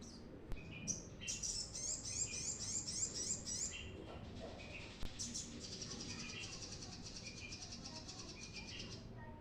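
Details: Vigorous brown-throated sunbird singing, used as a lure for raw birds: an extended run of high, rapid, tinkling trills, a brief pause with a few chirps, then another long, sustained high twitter.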